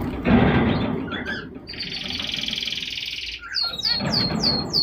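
Zebra finches give a long nasal buzz, then a run of quick, high, downslurred chirps.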